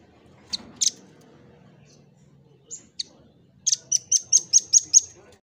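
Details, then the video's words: Velvet-fronted nuthatch singing briskly for cage-bird tutoring: scattered single high chips and a faint low murmur, then a tight series of seven shrill, evenly repeated notes at the end. "MASTERAN BURUNG RAMBATAN PARUH MERAH GACOR"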